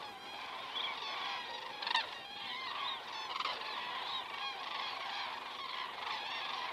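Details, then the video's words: Common cranes flying over at 19:10, 19 September 2017, Estonia, heard through a crane cam: loud, continuous chorus of rolling trumpet calls from a large flock, overlapping and rising and falling, one sharp click near the start. "cranes flying over"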